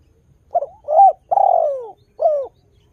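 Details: Lively spotted dove coo phrase, a recording to coax other spotted doves into calling: a short broken coo, a smooth rising note, a long descending coo and a brief dropping final note, clean with no other sounds.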